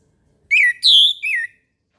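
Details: In the morning, an orange-headed thrush sings one phrase of three rich whistles. The first note dips and falls, the middle note is higher and brighter, and the last note falls, with no other sounds.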